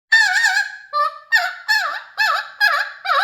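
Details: Pet Mealy Amazon parrot singing indoors: loud, harmonic-rich squawking notes with wavering, warbled pitch, delivered in a run of six phrases about one per half second.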